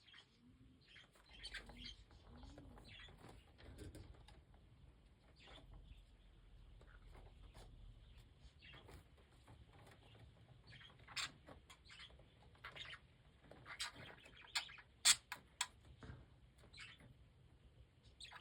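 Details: Young budgerigar chicks perched on a hat chatter with short, scratchy chirps and clicks, some sharper squeaks rising above the murmur.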